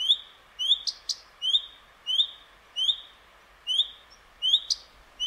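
Common redstart giving short, high whistled notes about once every half second, with a few sharp clicking ticks between them.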